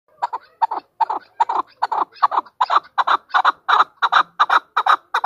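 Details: A chukar partridge (Alectoris chukar) gives a fast, steady run of harsh clucking chuk notes, roughly two to three per second, building slightly in strength.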